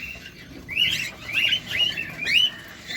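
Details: Cockatiel calls while feeding, close up: four or five rising, slurred chirps follow one another in roughly half-second steps over soft background noise.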